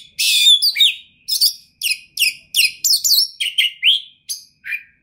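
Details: Oriental magpie-robin (kacer), a champion singer with a full, rich repertoire: loud varied phrases of sweeping whistles, harsh chatters and falling slurred notes, delivered in quick separate bursts about every half second.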